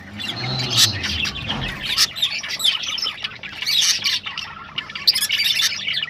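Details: Rosella vocalizations meant to prompt breeding, a busy mix of high chirps, harsh squawks and rapid twitters overlapping throughout, with a faint low hum beneath.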